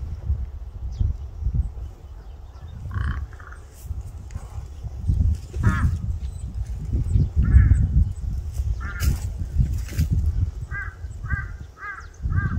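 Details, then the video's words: A crow gives harsh, hoarse caws, first singly a second or two apart, then a quick run of four, over a steady low outdoor rumble. "까마귀울음소리 Crow crying"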